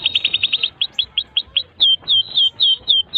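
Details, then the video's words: Canary singing long and vigorously, a tutor song for young birds and for canaries that have gone quiet: a rapid high trill slows into spaced chirps, then ends in drawn-out, slurred whistled notes repeated about three times a second. "Kenari GACOR PANJANG INI Cocok untuk Masteran KENARI PAUD dan Kenari Macet BUNYI"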